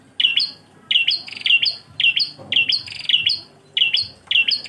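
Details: Klawu engkel song of a bar-winged prinia, used to tutor cage birds: loud chirp-and-whistle phrases repeated almost twice a second in an even rhythm, with light background rumble.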